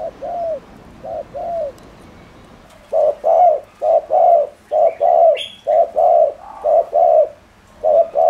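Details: Cooing of a spotted dove used to excite other doves, a few soft paired coos, then a louder, faster run of short-long mellow notes, with a faint higher chirp in between.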